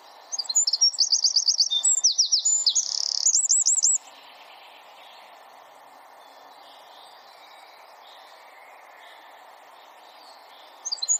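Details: Small wren delivering a dense 'bren tembakan rapat' burst for songbird training: about three and a half seconds of very high looping trills and downslurred whistles, then a long stretch of quiet background hiss and a brief new burst at the end.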